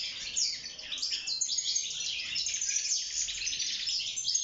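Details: A wild European goldfinch in an aviary sings for mating and nest building: a fast, continuous, unbroken stream of bright, tinkling twitters and buzzy high trills, with no other clear sounds.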